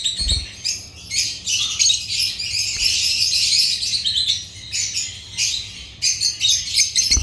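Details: A group of African lovebirds keeping up busy, shrill chatter: overlapping high chirps and buzzy twitters, with a few low knocks in the background.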